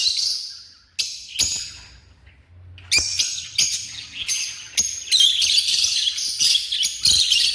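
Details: African lovebirds with a few short shrill chirps early on, then near-quiet, then continuous overlapping high, harsh chattering for the last four seconds.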